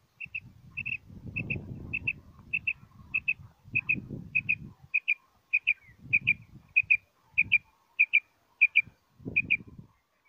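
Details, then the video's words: A common quail, recorded as a hunting lure call, gives crisp, high, clipped notes in quick pairs and triplets, repeated steadily about every half second over a low rumble of background noise. "Common Quail Coturnix Quail Sound"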